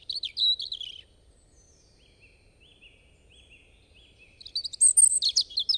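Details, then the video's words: European robin song: a clear, high warbled phrase, followed by quieter, thin, distant-sounding whistles repeated several times, then a loud, bright jumble of squeaky, tinkling notes. "Robin Bird Song"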